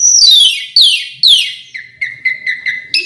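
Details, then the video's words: Asian pied starling song: three loud downslurred harsh sweeps followed by a series of short steady whistled notes repeated about every quarter second. "Kicau jalak suren full isian pariasi"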